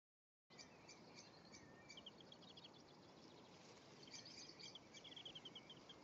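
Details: European greenfinch pair, male and female, at their nest in early May while an egg hatches; faint high chirps and quick twittered runs of short notes, busiest near the end, over steady background hiss.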